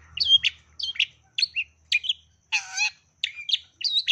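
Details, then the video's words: Long-tailed shrike song used as a lure to set other shrikes singing, including mimicked sparrow notes: clipped high chirps in pairs with short gaps, and one longer harsh, rasping note midway. "PANCINGAN CENDET GACOR FULL ISIAN TEMBAKAN GEREJA"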